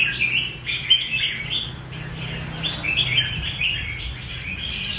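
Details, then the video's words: 'Rê cầu' song of a kept red-whiskered bulbul: lively, overlapping chattering and whistled phrases running almost without pause, bright and slightly rising in places, with faint low hum beneath. "Nết Rê cầu đẹp và khuôn mặt dữ của chào mào"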